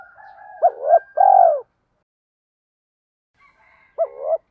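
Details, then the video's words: Spotted dove used as a decoy, cooing: a low purring lead-in, then a two-part phrase ending in a long falling coo, and after a pause another short rising coo. "Tiếng chim cu gáy kích bổi nhanh nổi - Chim Cu Mồi"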